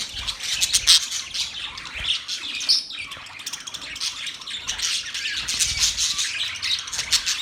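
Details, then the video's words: Continuous high parrot chatter with sharp chirps and occasional squeaky whistles, a steady twittering backdrop that swells and dips. "Parrot chirping sounds"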